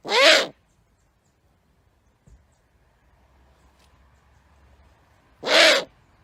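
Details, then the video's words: Two harsh, breathy screeches from a great horned owl, about five seconds apart, with near silence between them apart from a faint knock and low rumble. "Great horned owl making sounds"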